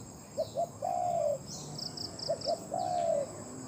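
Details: A Spotted Dove kept as a loud-voiced decoy for trapping in Thailand coos twice: two quick hollow notes lead into a drawn-out mellow coo that sinks at the end. A short run of high chirps sounds between the calls.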